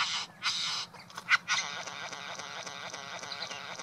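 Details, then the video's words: Male Satin bowerbird at his garden bower, performing an elaborate mimicking display to attract a female; a few sharp harsh bursts and clicks, then steady grating, buzzy chatter. "Satin bowerbird performing at bower"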